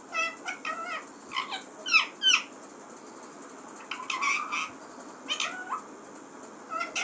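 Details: Talking parrot indoors uttering grouped harsh squawks and short chattering syllables in clusters, with gaps of quiet between bursts.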